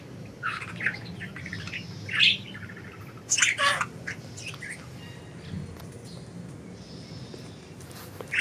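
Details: Free-flying pet budgies chirping: irregular bright chirps and chattering squawks, a cluster of harsh notes around the middle, then a quieter stretch before a final chirp, with low room noise beneath.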